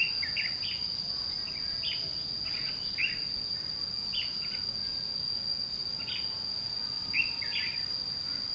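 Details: Red-whiskered bulbul, white-cheeked, singing aggressively toward a decoy bird at a trap. Brief chirpy phrases come in scattered bursts with pauses, against a constant high insect whine.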